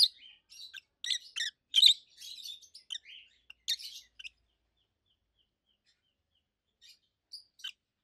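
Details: Loud, high chirping from a pair of adult peach-faced lovebirds kept at home. Rapid squeaky notes tumble together for about four seconds, then a long quiet stretch ends with a few scattered chirps.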